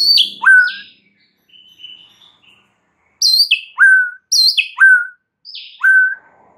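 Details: Lure song of the white-rumped shama for stirring up other shamas: descending whistled phrases, a soft quiet interlude, then four loud downslurred phrases in quick succession, each ending on a low, pure note.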